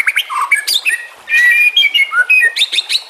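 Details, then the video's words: Short burst of white-rumped shama song from a training recording with water sounds: clear whistled notes, a sustained rising tone, then quick clipped chirps. "Masteran murai TERAMPUH yang di pakai semua burung juara"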